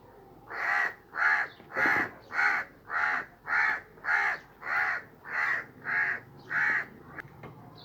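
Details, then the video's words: Crow sitting on a sheep's back, giving a run of eleven harsh caws at a steady pace, roughly one every 0.6 seconds, each broad and hoarse, on a quiet rural background. "Crow Sitting on Sheep Back, Making Noise"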